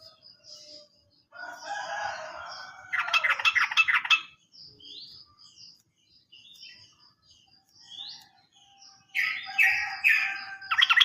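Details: Sooty-headed bulbul lure for birds that have stopped singing: bursts of harsh chattering and rattles separated by pauses, with soft scattered chirps between and a loud rattling burst near the end.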